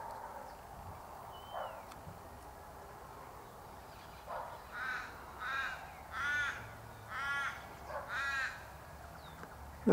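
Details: In the background, an Australian Raven gives five harsh, nasal caws about a second apart, while honeyeaters feed at a syrup feeder in a cypress tree; a woman speaks softly and another bird gives a brief whistled note.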